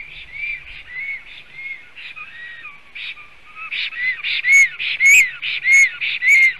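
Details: Male black stork guarding the nest, Sigulda, Latvia, 30 July 2020, filmed by a live nest camera: rapid, high whistled notes, some with a ringing overtone, repeat almost twice a second and grow louder and harsher toward the end.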